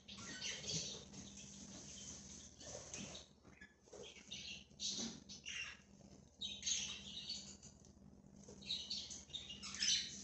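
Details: Budgerigars roaming free as a flock: bursts of high, scratchy twittering and short squawks come in irregular clusters, quiet in places, with occasional soft rustling and a low background hum.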